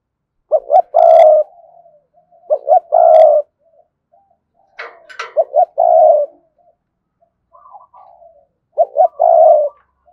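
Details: Spotted dove giving repeated 'thúc gù' lure calls for wild doves: four phrases of quick double hoots ending in a long hoarse coo, with faint murmurs and a brief sharp click between phrases.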